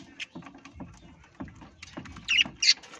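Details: Parrot calls as two short, harsh, high-pitched screeches close together near the end, after a stretch of soft tapping and shuffling noises.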